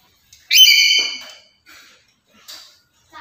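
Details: Black-capped lory used for luring other lories: a single loud, rasping screech lasting about a second, then a few quiet short chattering notes.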